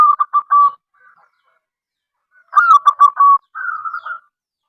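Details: Zebra dove of local wild stock, singing to attract others of its kind, delivers rapid stuttering coo notes, a faint pause, then a louder bubbling phrase followed by a smoother rolling coo, clean and close.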